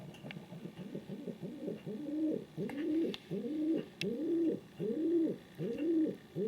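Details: King pigeon cooing in a steady series of arched, low hooting notes, each about half a second long, repeated roughly every three-quarters of a second with little pause between them; faint clicks in the background.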